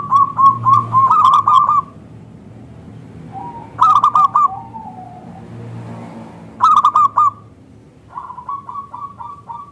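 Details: Lure recording of a local zebra dove in full voice, thick and crystal-toned, meant to draw replies from other zebra doves: repeated pulsed cooing phrases every few seconds, with softer answering coos between them and a low background rumble.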